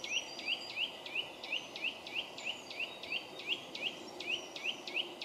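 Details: An extremely vocal Eurasian nuthatch on an old beech in Epping Forest, south-east England, in early May, bobs in display while calling loudly. It gives rising whistled notes, about three per second, over soft hiss. It is possibly checking a nest site.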